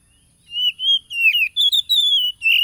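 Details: Oriental magpie-robin song played to rouse a caged bird, phone-recorded 30 July 2022 at Tulus Rejo village, Lampung, Indonesia: a rapid run of clear, high whistled notes, slurred and wavering, in a continuous chattering phrase.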